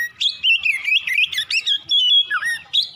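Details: Morning song of an Oriental magpie-robin, a rich, fast sequence of bright whistled and slurred notes with sharp upward flicks and a steady held whistle near the end.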